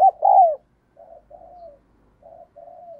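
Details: Decoy spotted dove calling to bring in wild doves: one loud falling coo, then four softer, low, purring coos in pairs.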